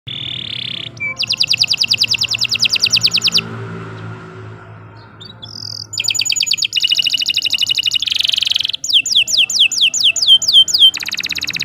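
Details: Canary song used as a master recording for training other birds, long and continuous: rapid trills of repeated high notes, buzzy rolls, a short pause midway, then fast downward-sweeping whistled phrases.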